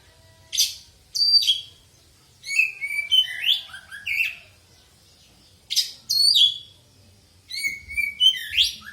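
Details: Oriental magpie-robin singing, played to prompt other birds into song: bursts of varied, rich whistles and sharp chirps in phrases of one to two seconds separated by short pauses, clean background.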